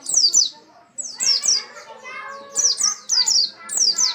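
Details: Oriental white-eye singing vigorously, known locally as pleci: dense, almost continuous run of piercing high descending chirps in quick clusters, over a busy layer of lower squeaky chatter.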